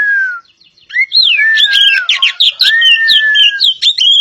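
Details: Oriental magpie-robin of the poci variety from Java, singing: a long falling whistle, then a rising slurred whistle, then fast chattering notes mixed with sweet whistled phrases, loud and clear with no background sound.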